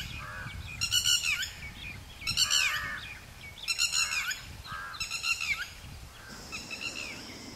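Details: Red-whiskered bulbul in a garden: harsh, chattering bursts with scratchy, sweeping notes, repeated about every one and a half seconds, five bursts in all, over low background noise.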